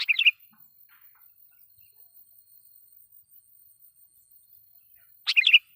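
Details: Sooty-headed bulbul lure song, loud, used to provoke wild bulbuls: two short bubbling phrases of quick warbled notes, one at the start and one about five seconds later, with near silence between.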